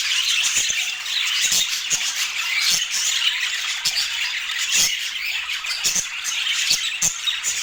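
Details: Group of budgerigars eating healthy food indoors in natural Scandinavian light, producing a steady wash of bright chirps and harsh warbled squawks, punctuated by occasional sharp clicks.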